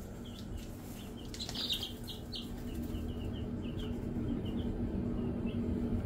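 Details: Female Easter Egger chicks, recently moved off a red heat lamp, give a run of short high peeps, soft and quick in uneven bursts, over a steady low hum and rustling in the brooder.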